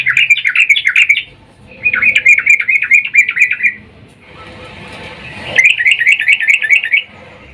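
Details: Lure call of a female sooty-headed bulbul calling the male in breeding mood: three runs of quick, rolling chatter notes broken by pauses, with a brief rustling noise between the second and third runs.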